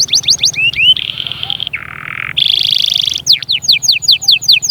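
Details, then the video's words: Canary song played to spur young birds to sing and ready females: fast falling whistles, then sustained buzzy rolls at different pitches, a low hum, a bright ringing trill and more rapid descending notes. "غناء وتحفيز خرافي لأجبار الفروخ على التغريد وتجهيز الأناث فورا جربهاcanari bird singing"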